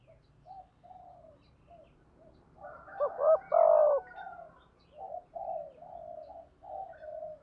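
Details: Spotted dove, male and female luring calls: soft cooing notes with a louder burst of overlapping coos in the middle, set against a low rumbling background.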